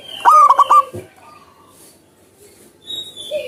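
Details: Zebra dove in the wild gives a single burst of four fast, throaty pulsed coos at the start. Soft whistles and a low tone from other birds follow.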